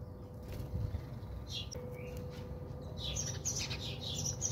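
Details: A house sparrow bathing at a home in South Africa: a flutter of wings first, then a few scattered chirps that build into a run of rapid, high tweets.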